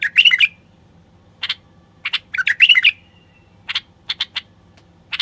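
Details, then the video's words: Male common bulbul song aimed at rousing silent wild bulbuls to sing and breed. A fast gurgling whistle phrase, scattered sharp chips, a second warbled phrase, then a string of short clipped notes. "تغريد خاص لتحفيز البلابل الوحشية القافلة"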